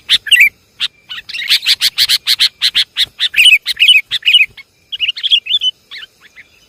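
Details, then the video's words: Lure call of the sooty-headed bulbul from Java: a few loud chirps, then a fast, steady run of sharp clicking notes mixed with warbles, tapering into scattered twitters. "Suara pikat burung kutilang"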